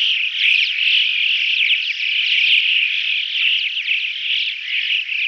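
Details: A flock of Alpine choughs (Pyrrhocorax graculus) keeps up a dense, unbroken chatter of high, rippling chirps and short whistled notes that overlap continuously.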